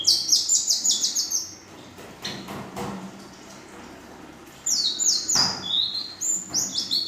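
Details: Young female ashy drongo singing in the full isian style, with nembak panjang and belalang emas elements: fast bursts of high, clipped, stepped whistles, a quiet pause with faint low hum, then another rapid run of sharp descending notes.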